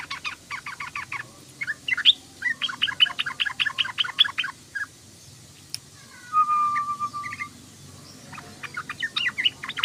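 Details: Sooty-headed bulbul chattering in quick repeated notes, with a steady whistled tone in the middle before the fast twitter returns.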